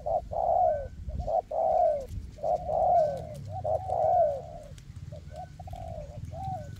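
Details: Caged decoy spotted dove used in a forest to lure wild doves for trapping: repeated hoarse, descending coos in phrases about a second apart, with low rumbling background noise.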